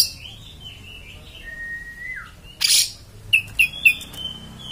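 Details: Oriental magpie-robin song with soft slurred whistles, a falling note, one harsh burst, then three sharp rising chips and a sustained high whistle.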